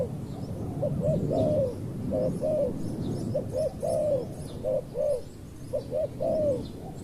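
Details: Spotted dove cooing at a decoy luring of a wild dove: soft low phrases of paired short coos ending in a longer arched note, repeated several times over rumbling background noise and faint high chirps.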